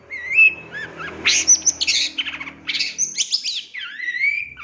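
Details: Long-tailed shrike fill-in song used to train captive birds: a rising whistle, then bursts of scratchy high phrases and a drawn-out upward-sweeping whistle, over a faint low drone.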